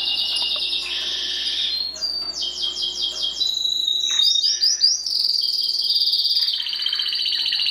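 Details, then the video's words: Timbrado canary, a caged domestic singer, in full song: buzzy rolling trill, a series of quick descending chirps, then an extended high trill with rapid pulses. "CANARY SINGING BEST VIDEO TO TRAINING CANARIES"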